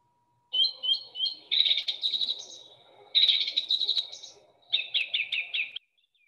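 Song Thrush singing loud, clear phrases, each repeated two or three times before switching to a new one; a low background hum underneath.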